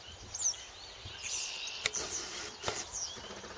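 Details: Many bird species in a raucous morning chorus at a riverside haven; faint high whistles and thin chirps of several birds overlap above steady background hiss, with a few sharp clicks.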